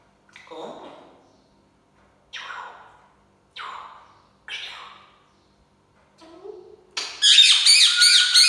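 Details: Pet African grey parrot saying SubhanAllah: a series of short voiced bursts about every second, ending in loud, harsh high-pitched squawks.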